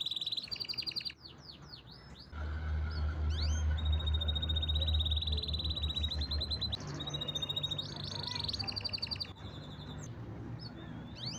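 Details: Canary song over a loud low droning hum: high rolled trills, swooping whistled notes, and pulsing tours that shift pitch between phrases.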